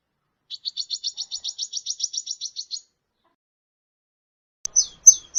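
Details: Sunbird trill for training songbirds: a steady run of about fifteen quick, thin, high notes over two seconds, then silence and a few sharp, clicky chirps.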